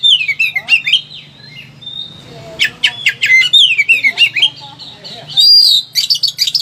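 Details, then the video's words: Excited Oriental magpie-robin pouring out a varied repertoire, meant as a master recording to stir quiet magpie-robins into singing: rising and falling whistles, sharp staccato clicks, buzzy trills and one long steady note, over a low background hum. "KACER EMOSI TINGGI BONGKAR SEGUDANG MATERI"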